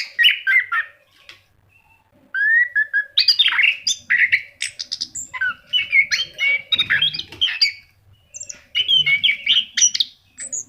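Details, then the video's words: Orange-headed thrush in vigorous, lively song, played to prompt pet birds to sing: loud, varied whistled phrases mixing clear slurred notes with rapid chattering bursts, broken by brief pauses. No other sounds stand out. "SUARA ANIS KEMBANG GACOR"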